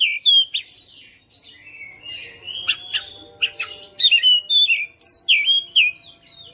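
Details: Caged Oriental magpie-robin singing steadily in a fighter style, showing off its fill-in notes. There is a long, varied medley of loud whistles, harsh chips and rapid slurred phrases with short gaps between them.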